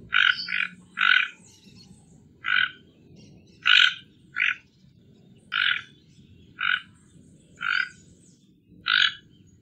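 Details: Toco toucan calling in a steady series of coarse, buzzy croaks, about eleven in ten seconds, some doubled, over a soft low background rumble.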